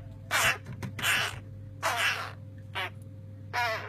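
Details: Three small crow chicks in care after their nest on an unused crane was removed, too young to regulate body temperature, begging with loud harsh rasping caws in bursts about every second, over a steady low electrical hum.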